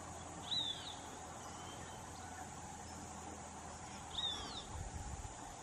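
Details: In Guaviare, Colombia, a Red-breasted Meadowlark gives two brief, thin, down-slurred notes about three and a half seconds apart, over a steady high insect drone.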